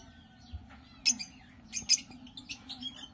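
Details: African lovebirds (Agapornis) kept by breeders, giving shrill, high-pitched chirps: two loud sharp notes about a second apart, then softer scattered twitters, over a low steady hum.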